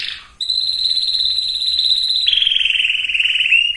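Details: Canary song used to condition males and females for breeding: one long, sustained high whistled tone, then a slightly lower, fine, rapid trill that runs steadily to the end.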